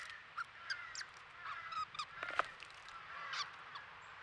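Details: Crow fledgling crying at a squirrel feeder in Nova Scotia, Canada, among its family; short harsh caws mixed with sharp clicks and knocks, with a faint high whistle near the end.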